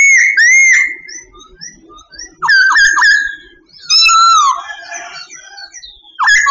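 A Sooty babbler gives loud, clear whistled phrases that slur up and down, in bursts of a second or so with short pauses. A faint low murmur runs underneath.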